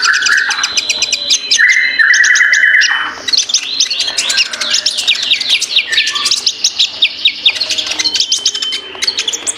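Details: Ninja sunbird song mixing short, steady trills at middle pitch with a long stretch of rapid, jumbled high chirps and twitters, delivered almost without pause.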